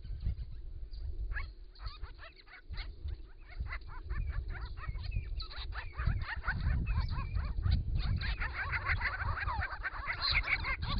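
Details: Group of six wild Grey-crowned Babblers bathing and drinking at a pond in regional Victoria, Australia, camera-trapped in hot summer weather, calling to each other: dense rapid chattering notes, many per second, over heavy low rumble and splashing.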